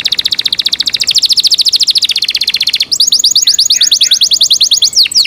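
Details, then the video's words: Yorkshire canary kept as a pet delivering fast, evenly pulsed trills of high notes, switching midway to a brighter, quicker rolling series. "Yorkshire canary Nice sound"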